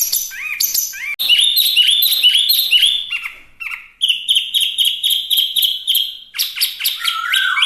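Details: Chinese hwamei in lively song, mixing upward-slurred whistles, dense buzzy trills and a fast run of about fifteen identical clipped notes, finishing with a lower, drawn-out whistle.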